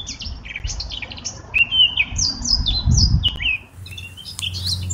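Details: Eurasian blackcap (Sylvia atricapilla) in full song, loud and close: a continuous run of clear, varied warbled phrases that rise and fall in pitch, with a few sharp clicks and low rumbling underneath.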